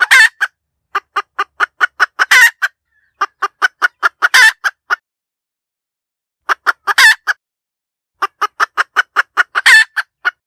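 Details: Hen cackle for use as a trapping decoy: bursts of rapid, sharp clucks, each climaxing in a loud, stretched, grating 'daak'. The sequence repeats four times with short silent gaps.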